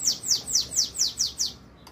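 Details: Brazilian tanager singing a fast run of seven high, thin, downward-slurred whistles, each about a quarter second apart, ending abruptly.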